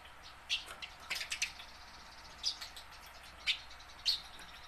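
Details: Tame house sparrow learning to sing, used to prompt caught wild sparrows into singing; scattered short, sharp high chirps, some in pairs, mixed with faint clicking and knocking.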